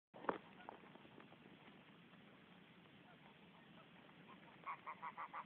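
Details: A male domestic goose (greylag) courts a female to form a pair: one sharp honk at the start, a low steady hiss, then a quick run of five nasal, harmonic honks at the end.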